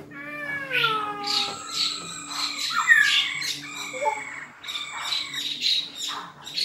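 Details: Fighting song of a black-throated laughingthrush: long, clear, slowly falling whistles, then harsh, squawking bursts and short bright notes, loud and varied, over a constant low hum.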